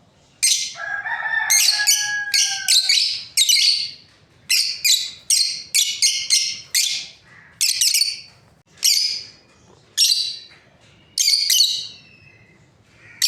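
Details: A breeding pair of lovebirds keeps up steady shrill chirping, with quick high notes repeated about once a second. Early on there are short falling whistled tones.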